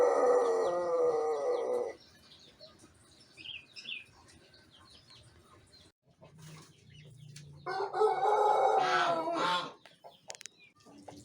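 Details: Pelung rooster from Indonesia, a youngster one month into crowing practice, filmed in the morning with an empty crop; a long crow ends, quiet background follows with faint sounds, then a second rough, wavering crow lasts about two seconds.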